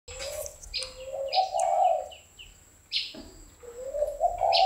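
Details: A captive spotted dove kept for breeding gives soft, low cooing phrases that swell and rise, two phrases about three seconds apart, with high chirps from small birds alongside.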